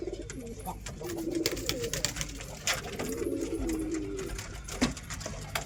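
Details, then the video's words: Low, rolling pigeon cooing swells and fades in long phrases, accompanied by frequent clicks and light knocking sounds. "Real pigeon sound"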